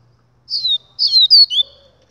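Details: Clean phrase from a Double-collared seedeater: four loud, high whistles sliding downward, the last one lower, all over near silence.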